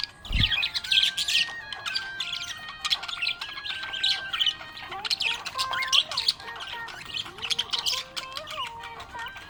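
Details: Happy budgerigar chirping in a steady busy stream of squeaky, scratchy twitters and chatter, with sustained tonal notes stepping between pitches underneath, possibly music.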